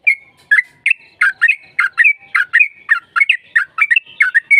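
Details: Sooty-headed bulbul lure song: a long, continuous chatter of bubbly, liquid notes repeated several times a second, lively and unbroken throughout.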